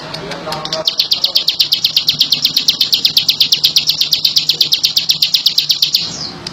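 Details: Bar-winged prinia singing energetically: after a brief soft lead-in, a rapid, regular series of sharp high chips runs for about five seconds, then ends with a falling slur, over low background hum.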